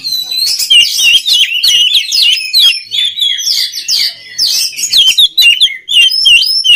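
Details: Oriental magpie-robin song for training other birds of its kind, a fast stream of piercing whistles, slurs and scratchy chips, with swooping high notes recurring every second or so.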